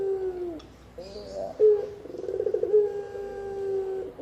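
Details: Spotted dove calling, used for luring wild birds and as a master sound for training cagebirds: low, mellow cooing notes, the middle note rolling into a fast throaty tremolo before a long, steady, level coo.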